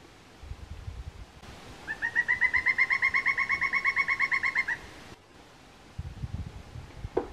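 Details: Pileated woodpecker, the largest woodpecker in North America and non-migratory, played back at the Maple Nature Reserve in Vaughan: a rapid run of about twenty loud, evenly spaced ringing notes over three seconds, rising slightly then level, with background hiss and rustling.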